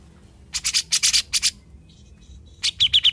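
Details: Grey-cheeked bulbul (cucak jenggot), a formerly silent bird now singing actively in besetan style: bursts of harsh broadband chattering notes, a pause with faint high ticks, then a quick run of bright high chirps.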